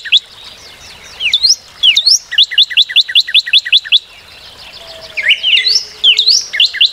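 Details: Northern cardinal song: sharp rising whistles lead into a long, fast string of paired slurred notes lasting about two seconds. After a short pause, more rising and falling whistles follow, with a faint low tone in the background.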